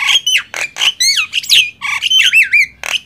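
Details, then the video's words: Nias hill myna and black-winged myna in a loud gemboran singing contest; harsh squawks alternate with bright whistled notes that swoop up and down, in short bursts with brief gaps. "Adu keras gemboran jalak nias vs jalak kebo"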